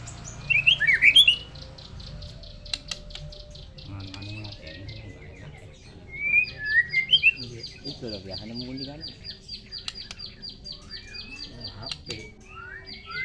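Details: White-rumped shama in full song: a burst of twisting whistles, then a long, even, buzzy trill held for several seconds, broken by scattered sweeping notes. A low hum runs underneath.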